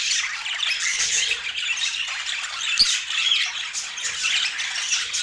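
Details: Several budgerigars feeding during a daily healthy food routine in natural Scandinavian light, giving dense, continuous high chirping and scratchy warbling chatter with no pauses, many birds overlapping.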